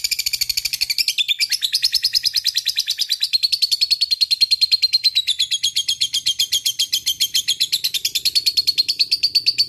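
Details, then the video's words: Lovebird of the single fighter type giving a long 'ngekek' chatter: a loud, unbroken, high-pitched rattling trill of rapid buzzy pulses, roughly nine to ten per second, sustained for nearly ten seconds with a slight wavering pitch and no other clear sounds. "Love Bird Ngekek Panjang"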